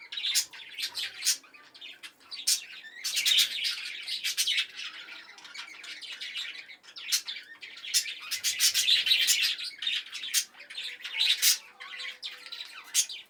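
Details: A colony of budgerigars chatters in bright, scratchy warbles and sharp chirps that overlap without pause.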